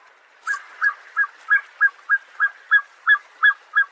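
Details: Black-necked Swan, a swan with a black neck, often in groups on lakes, wetlands and coastal waters; a series of short soft whistled notes repeated about three times a second, evenly spaced.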